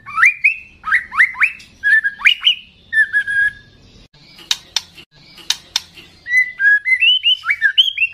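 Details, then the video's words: A young spotted-plumaged white-rumped shama sings loudly and agitatedly to call a rival: bright, sharply rising whistled phrases repeated in quick runs, a short pause with several sharp dry clicks, then renewed upslurred whistles. "Suara Burung Murai Batu Trotolan Gacor Keras Memancing Bunyi Ngeplong Emosi"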